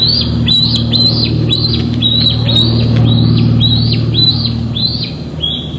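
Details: Juvenile bald eagle at Big Bear Lake on an evening of 21 June 2022, chasing a parent and squeeing, captured by a live nest cam: a fast run of high, thin, down-slurred squeals repeated steadily over a low steady hum.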